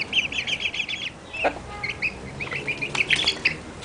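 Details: One-month-old Barred Plymouth Rock chicks peeping: bursts of high, short, rapid cheeps, with a few scattered chirps and some brief clattering noise in the background.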